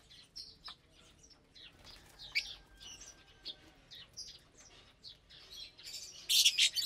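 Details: Lovebirds sharing morning food on 30 April 2022, vegetables and a grain mix, make soft, scattered high chirps that build into a loud, harsh burst of squeaks at the end.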